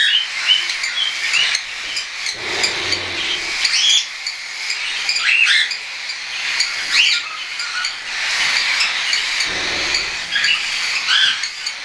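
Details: Young hand-tame cockatiels, some weaned and some still being fed, calling together; continuous dense chirping and squeaky whistles with a few louder rising notes and faint low thumps.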